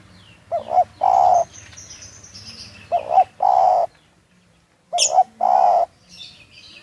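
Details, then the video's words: Close, clear spotted dove calling in Munjung Agung village, Tegal: three phrases, each a brief double hoot leading into a longer round coo, with faint high chirping from other birds in the background. "Suara panggilan tekukur lokal"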